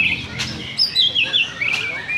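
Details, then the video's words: Oriental magpie-robin (kacer) singing in a duel at a Sunday practice singing contest in Sindanglaut, session 2; loud, clear whistled phrases sliding up and down in short bright runs, with crowd talk and other birds faintly behind. "Oriental Magpie Robin Singing Contest"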